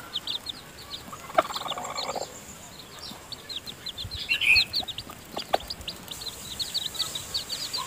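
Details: Newly hatched chicks in the nest with their mother hen while she feeds them, giving a steady stream of thin, high peeps with a few louder chirps and faint rustling.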